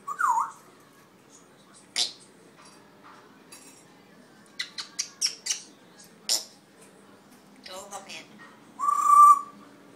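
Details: Red-tailed African grey parrot opening with a low wavering whistle, then a series of sharp clicks and taps, ending in a steady, sustained low whistle.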